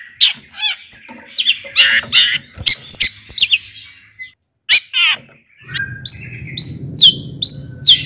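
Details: Long-tailed shrike, a singing cendet played as a lure for other shrikes: scratchy chatter and squawks, a short pause, then a run of loud downslurred whistles about twice a second over a low hum.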